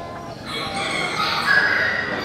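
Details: A Serama rooster at a Serama contest in Tambirat, July 2023, gives a strained, hoarse crow that swells after a brief quiet start.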